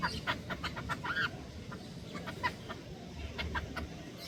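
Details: Hungry jungle babblers struggling for food: harsh, rasping chatter of short broken notes, several per second, some rising into squeaky cries, over a steady low rumbling background.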